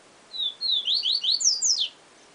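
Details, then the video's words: Yellow-bellied seedeater giving the 'siu siu professor' song: an even, high whistled opening, then several quick, falling slurs and two higher swooping notes at the close. "Papa Capim Siu Siu Professor"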